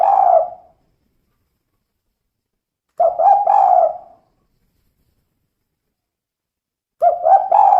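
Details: Female spotted dove, kuk 2 call: separate coo phrases about three to four seconds apart, each with a couple of clipped hoots and a longer wavering coo. There is silence between the phrases.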